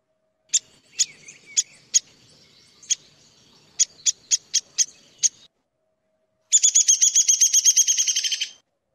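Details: Downy Woodpecker, a common winter bird in Manitoba, giving sharp, high pik notes spaced irregularly, then a quick run of about sixteen squeaky notes that slows and drops slightly, like a laugh.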